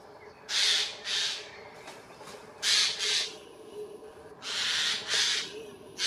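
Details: Eurasian jays mobbing an eagle owl, Dannenberg (Elbe), Germany, 31 May 2024; harsh, grating screeches arrive in pairs, three pairs in quick succession, over a faint background hum.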